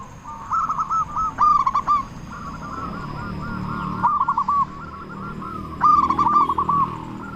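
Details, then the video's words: Local big-voiced zebra dove singing to prompt other doves. Rolling cooing phrases recur about every two seconds, with softer doves behind and steady low background noise. "Perkutut Lokal Gacor Suara Besar Pancingan Burung Perkutut Agar Cepat Bunyi"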